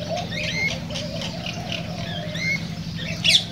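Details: Cockatiels, in a recording meant to encourage singing and breeding: a few thin whistled notes spaced about two seconds apart, ending in a harsh short squawk, with a continuous low hum and faint chatter behind.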